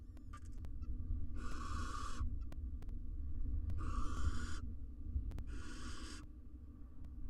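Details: In a monitored nest box, a wild male and female barn owl court alongside their four nestlings: three drawn-out hissing screeches, each near a second long and spaced about two seconds apart, plus a brief faint rasp, steady hum and clicks.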